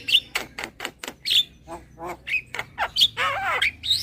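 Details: Javan myna giving a whiny lure call: sharp clicks and short squawks repeated at a quick pace, ending in a wavering nasal screech and high whistles.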